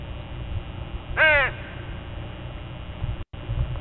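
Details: One harsh, nasal crow caw rings out in the middle of a dawn scene with a flock of crows, set against constant low-pitched background noise.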